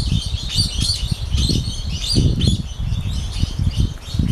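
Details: Rusty-faced parrot at Colibrí del Sol Bird Reserve in Colombia's western Andes, giving harsh, high chattering notes, a few each second, over a steady low rumble of wind or movement.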